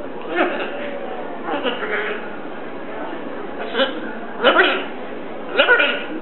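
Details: Talkative pet Catablue macaw in front of the TV: scattered word-like utterances, growing into several sharper, rasping bursts toward the end, against a continuous low hiss.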